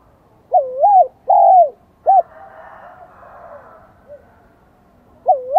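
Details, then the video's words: Spotted dove with the high 'son' voice from Vietnam, just starting to sing: a wavy double coo, a long falling hoot and a short note, then a soft rustling noise before another coo. "Tiếng chim cu gáy Giọng Son chớm nổi kích bổi"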